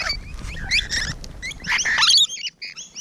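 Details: Rainbow lorikeets nearby on a June 2017 morning, a short burst of harsh squawks and nasal screeches ending in a few high, thin chirps.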